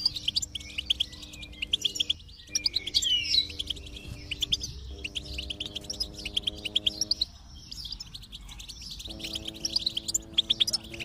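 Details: Goldfinch song played to stimulate a silent goldfinch into singing: rapid, twittering high chirps and trills in fast bursts, broken by short pauses, over steady low humming tones.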